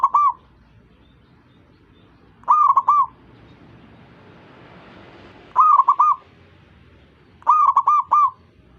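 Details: Zebra dove calling other zebra doves to sing along: four quick warbling coo phrases, each a rapid string of rounded notes, spaced unevenly across a quiet background.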